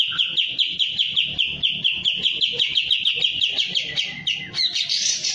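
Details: A kapas tembak in breeding mood, tail spread, pours out an even stream of quick repeated chattering notes, then ends in a higher scratchy flourish.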